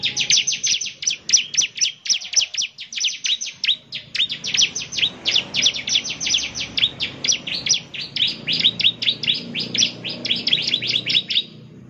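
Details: Bar-winged prinia singing to provoke other prinias to reply: a long, unbroken run of fast, sharp high chips, steady and insistent for about twelve seconds, with low background rumble.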